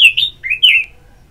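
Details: Singaraja, North Bali: an Orange-headed thrush gives ngeplong therapy song to prompt singing, three clear slurred whistles in quick succession, the first falling, the second rising, the last long and gently descending.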